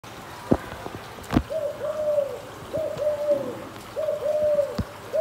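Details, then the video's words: Spotted dove calling, a series of soft cooing notes around the mid range, three phrases of two or three slurred coos each, with sharp clicks and knocks in between and faint background hiss. "CHIM CU GÁY 2024 HAY"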